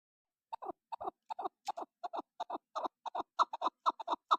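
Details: Chukar partridge call used for hunting, a series of short clucking chuk notes in pairs, speeding up and growing louder over four seconds, about two pairs per second, no other sounds.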